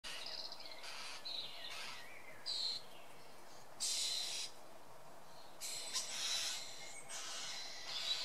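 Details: A common starling at its nest cavity on 25 May 2013 gives harsh, hissing, high-pitched bursts at irregular intervals, with a few thin squeaky notes between them, over a soft background hiss.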